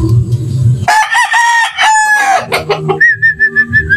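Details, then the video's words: A rooster crows in a yard, one bright crow of about one and a half seconds, followed by short choppy notes and a thin wavering whistle-like tone. "ROOSTER CROWING - ROOSTER SOUND VIDEOS 2022"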